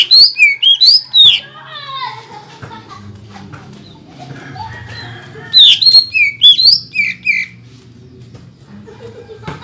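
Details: Greater green leafbird song, meant to agitate other leafbirds. Two bursts of varied, sharply inflected whistles and chirps fall at a brisk, uneven pace, with softer warbling between them and a low murmur beneath.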